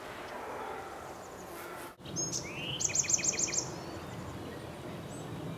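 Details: Chestnut-backed chickadee, while making a nest cavity in a dogwood tree, gives a short rising whistle then a quick run of about six very high, thin notes over a steady rushing background.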